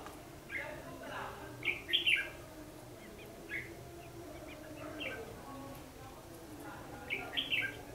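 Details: Red-whiskered bulbul fighting song in a trapping session, used as a lure, recorded 14 December 2015; short whistled phrases of two to four notes come in bursts near 0.5, 2 and 7 seconds over a steady low hum.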